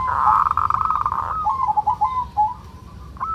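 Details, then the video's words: Local zebra dove, kerot-style song meant to stir breeding urge: a loud sustained trilling coo followed by quicker, softer clipped notes trailing off, then a final short rising coo. "Suara perkutut lokal NGEROT"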